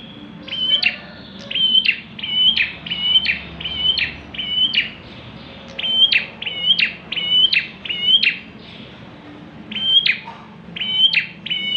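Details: Sustained bar-winged prinia singing, used as a lure for other birds: bursts of several rapid whistle-and-buzz phrases separated by short pauses, around eighteen phrases across twelve seconds.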